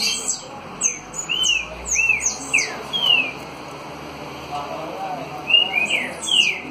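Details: Caged Green-winged saltator, a trinca-ferro in the "60 boi" (dançarino) style singing face-on: short whistled slurred notes in two groups separated by a quiet gap, over steady background hum.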